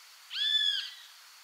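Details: One prolonged, ringing note from a Great Kiskadee recorded in Argentina, even in pitch and gently rising then falling at the ends, with soft background hiss.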